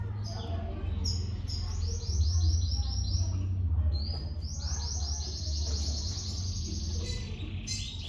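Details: Domestic canary chicks in a nest being fed by their mother; rapid runs of high, slightly falling chirps in two long bursts, with steady low hum beneath.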